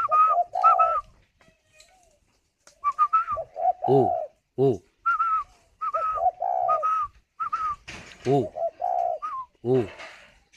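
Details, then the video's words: Spotted dove on eggs in a cage at Ba Vì, Hanoi, Vietnam, answering a man's repeated 'gù' prompts with short low mellow coos, the man's brief higher calls interleaved throughout. "chim cu gáy hay vừa ấp vừa gù"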